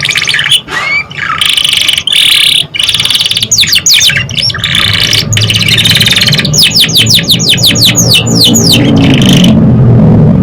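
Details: Canary song meant to prompt young canaries into singing: dense buzzy trills and scattered chirps, then a long run of rapid descending whistled sweeps before the song stops abruptly, over a steady low rumble.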